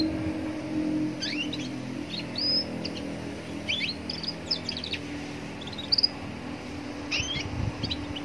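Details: Young Atlantic canary singing in a roadside setting to provoke other canaries into singing: clusters of quick high chirps and slurred whistled notes, with a steady low hum and faint traffic behind.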